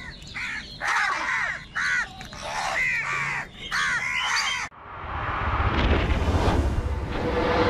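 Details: Wild crows squabbling over food: rasping caws in short clustered bursts for several seconds, then a steady rush of broadband noise takes over.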